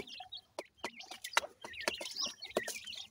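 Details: Partridge chicks (Pakistani teetar) during feeding, a few distinct high upslurred peeps and wavering cheeps between loud sharp knocks and clicks.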